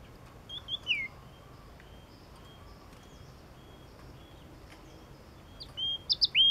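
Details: Yellow-cheeked tit singing: a few thin high whistled notes early, a long quiet gap, then a loud cluster of sharp high notes closing the phrase.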